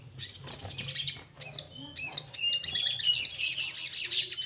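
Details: Orange-headed thrush song played to coax untrained birds into singing: a few brief high chirps and downslurred whistles, then a continuous run of fast, bright twittering.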